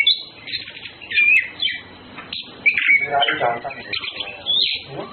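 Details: Orange-headed thrushes courting, males with females: fast, tumbling song of sharp whistles, slurred notes and scratchy chatter, uttered in close bursts with short pauses between.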